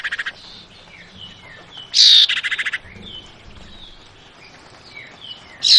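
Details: Female Javan white-eye calling to draw a male's reply. Short stuttering notes open, then one loud, rasping, buzzy burst is followed by a quick run of clipped pulses. Faint high chirps sit in the background, and another burst begins at the end.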